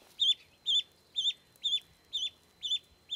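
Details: A rescued Canada goose gosling, found nearly drowned in the Applegate River without its mother, exploring a sanctuary backyard: thin, high, downslurred peeps, about two a second in a steady run, over a faint low hum.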